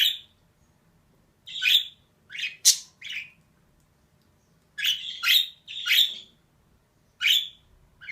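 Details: A female budgerigar calls in loose clusters of harsh, squawky chirps, around ten in all, a couple noticeably higher and thinner.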